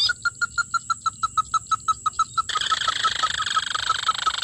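Ruddy-breasted Crake giving short, hard, mid-pitched notes about three per second, steady and even; a loud rushing noise comes in halfway.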